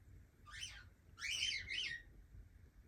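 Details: Young cockatiel calling: one short chirp, then a louder, longer double note that rises and dips, all high and slightly grating against a faint background hum.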